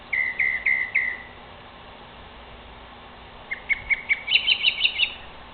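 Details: At night in a tree, a Northern mockingbird gives four slurred whistles in a row, pauses, then a fast run of bright, higher chirps repeated rapidly; faint steady background hiss.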